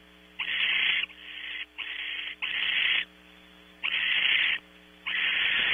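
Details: Barn owls at a nest on a California ranch, pre-dawn, the male delivering prey: a run of six long, rasping hissing screeches, each about half a second to a second, with a constant electrical hum beneath.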